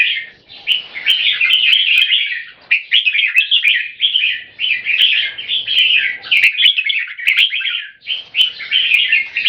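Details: Two caged red-whiskered bulbuls in an aggression contest, each bird trying to dominate the other by singing as often as possible; rapid, warbled phrases of chirps and whistles pour out almost without pause, with a few sharp clicks.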